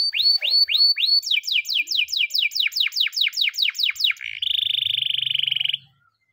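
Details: In its morning training song, a champion master canary gives rising looped whistles, then a long run of clear downslurred notes about three per second, finishing with a sustained buzzing roll.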